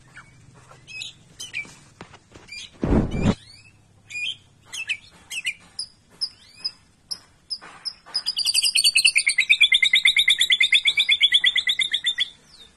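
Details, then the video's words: Kept white-rumped shama during its morning care routine of bathing and sunning: scattered sharp chirps and whistled notes, a loud thump, then a long, fast, buzzy trilled phrase lasting several seconds. "Rutinitas tiap pagi dalam merawat murai batu agar gacor"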